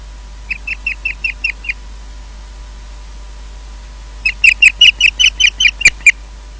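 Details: At the Loch Garten nest, Scotland, around 19:20, the osprey Odin brings a fish and takes it away. An osprey gives two runs of short, high, piping whistles, about seven notes, then a louder series of eleven.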